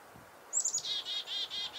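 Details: Chickadee alarm calling at a goshawk nearby, February 2021 at Reedfly Farm: a few thin, very high chips run into a string of five buzzy, harsh dee notes.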